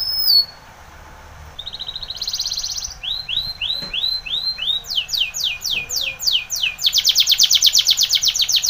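A Timbrado canary sings a varied song: a short trill, a run of rising swept notes, then fast bell-like rolls and a loud, rapid, metallic trill.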